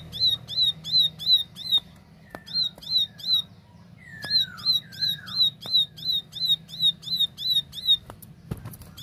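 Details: Repeated sharp high chips from a plain prinia (ciblek sawah) in lively tembakan song, about three per second in two long runs, separated by a gap with lower, slurred downward whistles.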